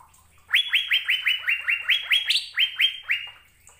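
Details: ['Asian fairy-bluebird, singing keenly on a training recording for caged birds, gives a run of about twelve quick upslurred whistles, one noticeably higher note near the middle.']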